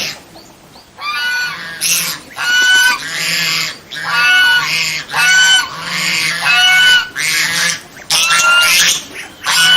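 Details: A domestic swan goose (Anser cygnoides) honks loudly and harshly, about eight brassy blasts in ten seconds, each rising then dropping, with no other sounds.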